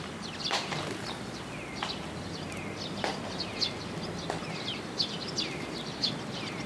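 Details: Young Eurasian tree sparrows gather at a post to be fed, Tenmangu shrine, June 1, 2022. Repeated downslurred high chirps and some brief sharp clicks sound over low background hum.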